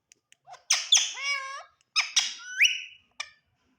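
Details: Indian ringneck parrot, a green bird, chattering at its mirror image: two groups of loud, grating, speech-like syllables with curved pitch slides, the second closing in an upward squawk, then a short chirp.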